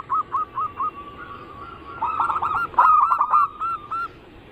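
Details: Lure recording of zebra dove song mixing anggungan, local, Bangkok and crossing styles to set other perkutut singing. Spaced single coos lead into a dense, louder cluster of fast overlapping notes, then a few separate coos close the phrase.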